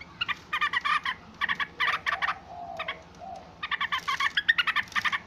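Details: Yellow-vented bulbul making noisy calls, several separate bursts of rapid, bubbly chattering notes with short pauses between groups.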